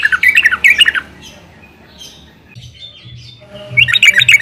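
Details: Yellow-vented bulbul (Pycnonotus goiavier), used as a lure song to get other birds singing, gives bursts of bubbly, chattering mid-pitched notes: a second-long phrase, a pause, then another burst, with a faint low hum behind.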